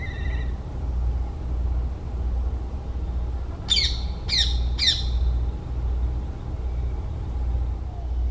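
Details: A pariah black kite perched on an old tree in a forest in West Bengal, India, gives three quick, shrill, slightly falling notes about half a second apart, over a steady low rumble of distant traffic.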